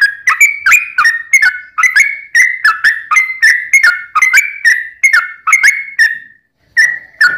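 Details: Rapid, liquid whistled song of a sooty-headed bulbul, used as a lure to make other birds sing; notes follow closely for six seconds, then a short pause and two final phrases.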